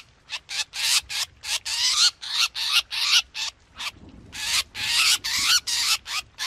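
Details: Black drongo, 2021 trapping lure: grating bursts repeated roughly every third of a second, several showing rising tonal streaks within the noise.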